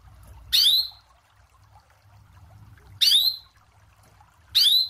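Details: Canary (kenari) described as a prolific singer with a long rolling song and unique phrasing, used as tutor and trigger audio for training. Three bright, short chirps sweeping downward, spaced about two seconds apart, over a faint low hum.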